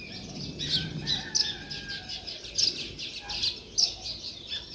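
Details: Sparrows chirping outdoors: short, bright chirps in loose, irregular bursts, roughly fifty a minute, some louder notes standing out over a faint, steady background murmur.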